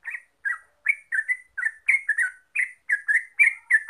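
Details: Yellow-vented bulbul, called terucuk in Javanese, singing ropel: lively, liquid chortling notes in quick succession, each phrase rising then dropping, with short gaps between them.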